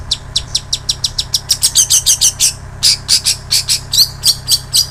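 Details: Long-tailed shrike mimicking bar-winged prinia and canary for songbird training: a brisk series of sharp high chips, steadily repeated, with occasional twittered notes, and a quiet constant hum underneath.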